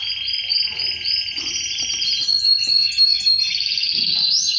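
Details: Male canary song linked to mating with his female, a continuous high rolling trill with steady pulses, gently shifting in pitch and rising slightly at the close.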